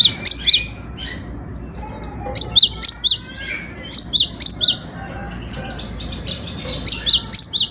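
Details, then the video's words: Cinereous tit (gelatik batu) in full, lively song used for training other birds: sharp, high two-note phrases delivered in rapid runs, each burst of several repeats followed by a brief gap. "Burung Kicau Gelatik Batu Gacor‼️Cocok untuk Masteran"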